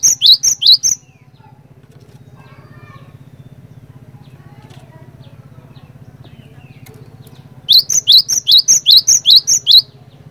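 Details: Gelatik batu (cinereous tit) singing a lively lure song meant to set other birds of its kind singing: bursts of sharp, high, down-slurred whistled notes repeated rapidly, about five at the start and eight at the end, with a low steady hum between.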